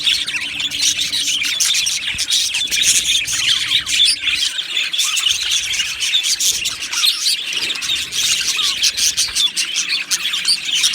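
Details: Colony of Australian budgies in an aviary singing and chirping: a dense, continuous wash of high, scratchy chirps and warbles overlapping with no pauses for eleven seconds.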